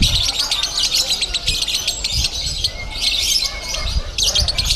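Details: Lovebird singing in the konslet style at a bird-singing contest in Bandung, Indonesia: dense, high chattering trills and rapid chirps run almost continuously, with crowd murmur and low rumble underneath.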